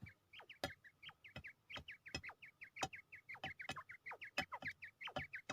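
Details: Fighting quail in Pakistan gives rapid bursts of short, clipped chirps, two or three per beat, nearly nonstop over several seconds, punctuated by loud sharp clicks and thumps from the scuffle.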